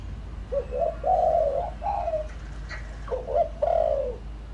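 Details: A spotted dove used as a decoy coos to stir wild doves, with clipped notes leading into long, throaty, falling coos, a pause, then another quick phrase; a few faint high chirps sound in the background.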